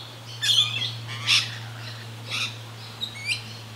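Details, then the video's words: Rainbow lorikeet (Trichoglossus haematodus), a mid-sized Australian parrot, calling ceaselessly while feeding frantically and acrobatically, unharassed by other birds or predators; four harsh, screechy bursts about a second apart, with a steady low hum underneath. "Rainbow Lorikeets"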